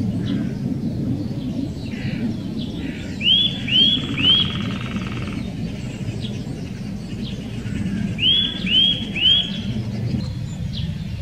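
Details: Eurasian nuthatch in the Wittlicher Senke, Germany's Eifel region, uttering triplets of clear rising whistled notes, a buzzy trill after the first triplet, over steady low rumble and faint calls of other birds.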